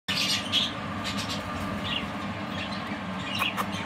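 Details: Budgerigars, cinnamon split lacewing and lacewing birds, chirp and chatter in short, scratchy bursts over a steady low hum.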